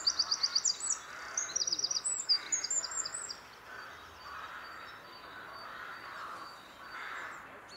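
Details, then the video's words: Wren song recorded at Glimmen in April 2021, opening with rapid, piercing high trills and chattering runs for about three seconds, then giving way to repeated rough crow caws and a broad noisy background. "winterkoning april 2021"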